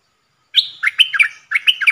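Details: One of four decoy bulbuls, recorded 31 July 2021, gives rapid chirpy, liquid warbles in two short clusters of bright notes with sharp onsets, on an otherwise silent background.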